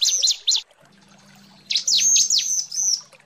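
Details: Female bar-winged prinia calling for a male: a few quick high chirps, a pause over a low hum, then a run of arched, thin whistled notes.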